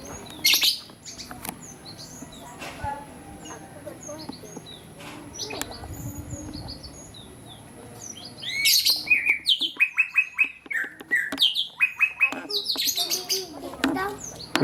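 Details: A wild cinereous tit sings busily. After scattered faint high chirps, a rapid, dense run of bright, high chirping notes starts and carries on for several seconds.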